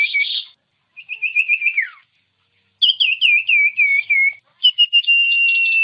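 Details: Song of the common iora, meant to provoke other birds to sing: a short buzzy note, a fast trill falling at its end, then a descending chain of whistled notes leading into a long steady whistle.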